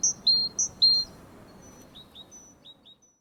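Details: A Great Tit in the Nordic region sings quick two-note phrases, a high note dropping to a lower one, repeated about three times and then more faintly, over a low background rumble.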